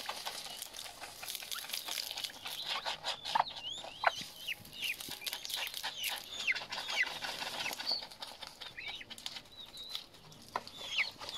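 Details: Himalayan monal chick giving a steady run of thin, high peeping notes, each short and slurred, some rising and some dipping, repeated many times over a constant background hiss with scattered clicks.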